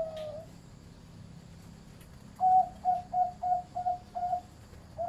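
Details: After two seconds of near quiet, a medium-voiced zebra dove from a breeding farm delivers a brisk series of about seven crisp, even coo notes, each a short bright beat, with a faint low hum beneath.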